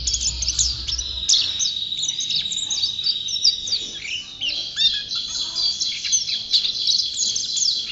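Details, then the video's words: Prolific song of a champion white-eye (pleci): rapid high twitters and sweeping slurred whistles, busy and unbroken, occasionally dropping to a lower note. "Burung Pleci Juara Gacor"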